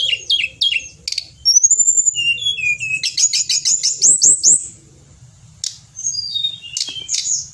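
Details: Pied bushchat singing gacor-style as a songbird master recording, Indonesia's Tledekan Gunung: clipped high notes, a smooth rising whistle, a fast stuttering burst of upswept chirps, a short pause, then more varied whistles.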